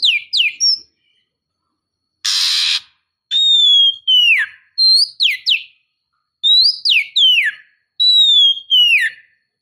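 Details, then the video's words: Female Oriental magpie-robin calling for a male. Short clear whistles repeat in pairs, each a long note sliding steeply downward, with a rough noisy burst near the start and quiet gaps between the phrases. "KACER BETINA MEMANGGIL JANTAN"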